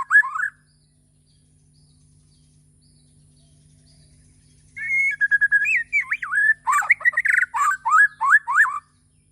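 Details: White-rumped shama of the Borneo type singing in the morning: a brief whistled phrase, about four seconds of quiet, then a rapid run of varied clear whistles, rising and falling slurs and short harsh bursts lasting roughly four seconds.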